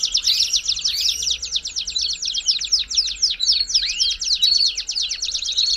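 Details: Belgian canary singing, used to warm up a canary: long strings of sharp, rapidly repeated chipping notes, about four a second in groups, with a few looping whistles mixed in.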